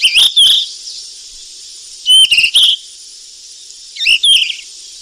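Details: Wild golden flycatcher tending its chicks: three quick bursts of bright whistled upslurs and clipped chirps, roughly every two seconds, against a continuous high hiss.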